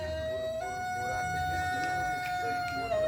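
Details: A steady, siren-like electronic tone holds one pitch for about three seconds, stepping slightly higher after half a second, over faint background murmur, with no animal voice heard.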